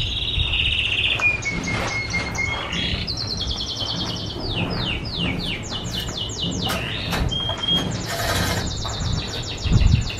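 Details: Canary song used for training other birds: long pure whistles that dip in pitch, then a series of slurred notes, clicks and rapid high trills, with scattered low knocking.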